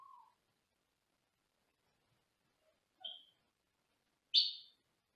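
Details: Pet Senegal parrot in a small cage, recorded from another room: a short mid-pitched note, a brief higher chirp after a long pause, then a loud, harsh, squawk-like burst near the end, with silence between.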